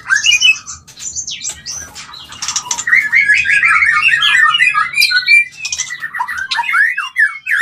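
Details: White-rumped shama mating call to stimulate mating, opening with scratchy notes, then a long rapid cascade of warbled, slurred whistles that tumble on almost without pause.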